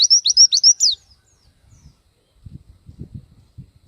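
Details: Gacor pleci, or Oriental white-eye, showing off its song repertoire: a brief rapid volley of about seven high, downward-sweeping notes lasting under a second, then soft low background rumbling.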